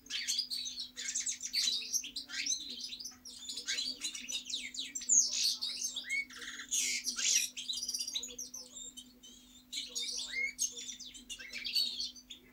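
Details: European goldfinch singing a long, rambling warble of liquid twitters, buzzy trills and sharp chirps, delivered in bursts with brief pauses, over a faint steady hum.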